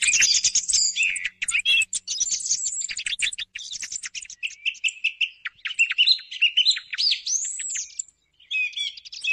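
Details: Thrush song for luring thrushes at dawn hunting: long busy stretch of fast chips and trills, shifting into looser whistled phrases and a rising-falling arched note near the end.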